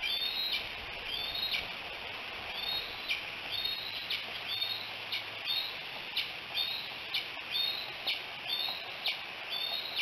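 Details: Decorah bald eagle nest, 5 July 2018 around 11 a.m.: high-pitched, squeaky descending chirps repeated roughly once a second over steady outdoor background noise.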